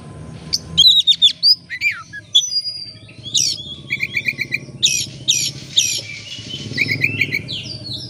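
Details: Oriental magpie-robin song meant to lure birds into singing: scattered sharp clicks and whistled sweeps, buzzy bursts, and a low engine rumble underneath.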